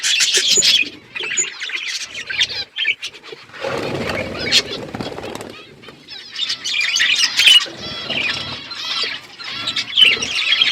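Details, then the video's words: Budgerigars flocking in an outdoor aviary, with busy high warbling chatter that breaks off for a loud burst of flapping wings near the middle, then resumes as overlapping twittering. "budgies chirping sounds"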